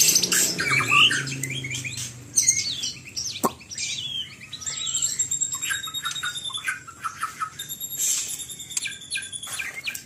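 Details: White-rumped shama singing a busy medley of high chirps, trills and short whistled notes, softer and more scattered, with one sharp click partway through.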